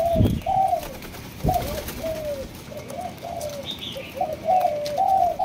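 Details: Two-month-old Malaysian-line spotted dove, kept by a breeder, giving a run of soft hooting coos, each a short slurred note, strung in quick uneven phrases with brief pauses; faint higher chirps from another bird in the background.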